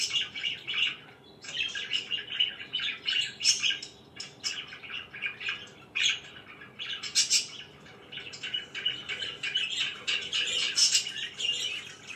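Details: Budgerigars kept as pets chirp through the morning in a long, lively stream of twittering notes and squawks, broken by a few brief pauses, with occasional wing flutters.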